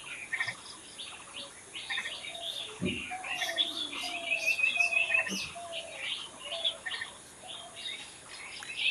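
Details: Wild birds singing outdoors in a dense chorus of bright, high chirps and short twittering phrases overlapping throughout, with a few quick trilled runs and occasional soft low thumps.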